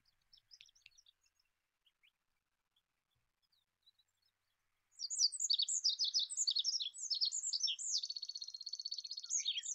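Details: Olive-backed pipit singing. Faint scattered high notes come first, then about five seconds of a dense, thin, high-pitched jumble of sharp chirps ending in a fast buzzy trill.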